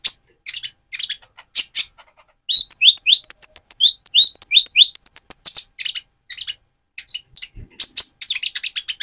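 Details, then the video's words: Van Hasselt's sunbird, a mottled juvenile-looking bird moulting toward metallic plumage, used to provoke another sunbird: sharp high chirps, then a quick run of ticks and downslurred whistles, then more chirping. "Burung Konin trotol gacor untuk pancingan menaikan mental emosi kolibri ninja"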